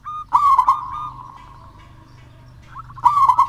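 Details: Song of a local wild-type zebra dove, used to coax lazy doves into singing: a bubbling, gurgling phrase slides into a long purring trill, and a second loud bubbling phrase starts near the end.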